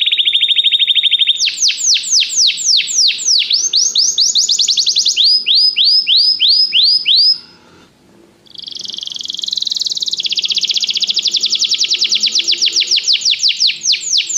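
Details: Canary song for training, a string of varied trills and falling slurs, a brief pause near the middle, then a long rich rolling trill that climbs slightly.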